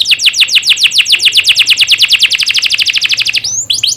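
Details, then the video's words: Canary song used as a training recording to get young canaries singing well: a long fast run of repeated downward-sweeping notes, about eight per second, ending in a few separate rising whistles. "Masteran burung kenari paud biar gacor"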